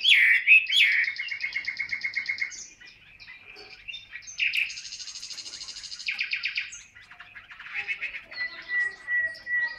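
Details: Loud varied song from a caged yellow-legged, yellow-billed Chinese hwamei fanning its tail: rich whistles, then rapid buzzy trills and rattling phrases, ending in a steady thin whistle.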